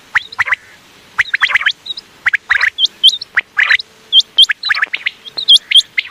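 Common quail giving quick, liquid, gargling phrases of two or three notes, repeated about every second, with thin high hooked whistles running through them.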